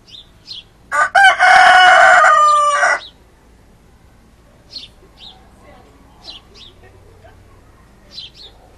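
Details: Rooster crowing, one of two roosters (a red one and a speckled one), one loud, harsh crow about two seconds long, rising then holding steady, followed by faint high chirps from small birds in the background.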